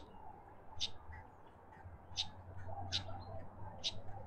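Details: Karoo thrush at a garden bird bath in suburban Pretoria, South Africa: four crisp, isolated high chips spaced roughly a second apart over a low steady hum.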